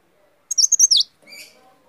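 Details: Leaf warbler, a small, agile bird, giving a brief high, thin, twittering phrase of rapid sweeping notes lasting about half a second, followed by a softer, lower buzzy trailing note.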